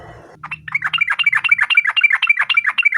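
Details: Rival-calling song of a yellow-vented bulbul: a quick, steady chatter of sharp, slightly slurred notes about four per second, starting after a short burst of low background noise.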